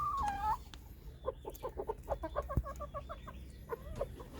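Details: White Silkie chickens at a bird farm in Punjab, Pakistan: a falling drawn-out note, then a quick series of short, low clucks, about five per second, with softer clucks trailing off.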